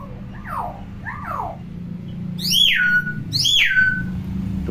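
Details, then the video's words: Tame talking common hill myna with a clear, strong voice: two softer falling swoops, then two very loud, piercing calls that rise, break and slide steeply downward, while a person remarks on how strong its voice is. "BURUNG BEO PINTAR NGOMONG"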